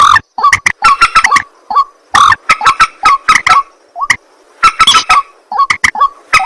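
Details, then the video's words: At night, a white-breasted waterhen gives rapid bursts of harsh clucking and croaking notes, mixed with short rising upslurred calls. "ruak ruak mandar batu mp3 2 suara burung malam hari"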